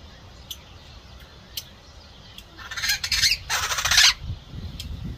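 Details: Captive long-tailed glossy starling kept in aviculture; two loud, harsh, rasping squawks about a second long each, preceded by a few faint clicks, with low background rumble.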